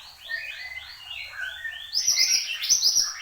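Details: Horsfield's babbler in full song: a series of rising and falling whistled notes, then a loud, fast high-pitched trill with chattering notes.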